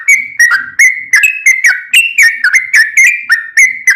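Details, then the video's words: Yellow-vented bulbul in full active song for training caged birds: a steady string of short, bubbly whistled phrases, each sliding downward, delivered about three per second with no pause. "Trucukan gacor tarung ROPEL panjang"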